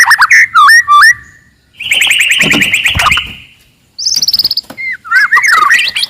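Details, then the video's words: Loud, aggressive song of a forest white-rumped shama, given to stir rivals to anger: clear looping whistles, a long buzzy chattering phrase, a high rapid trill, then more swooping whistled notes. "KICAUAN MURAI BATU HUTAN, VOLUME KERAS, AMPUH MENAIKAN EMOSI LAWAN"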